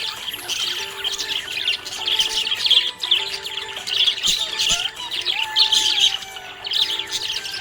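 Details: Happy budgerigar chirping: scratchy high chatter in waves of louder bursts with brief pauses, accompanied by continuous background music.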